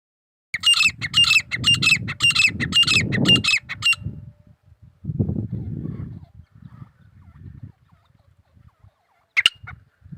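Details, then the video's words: Grey francolin (teetar) calling: a rapid run of harsh, squawking notes repeated roughly twice a second for about three seconds, with low rumbling background noise beneath and a single loud note later. "Teetar pakshi ki Awaz | Titur ki Awaaz"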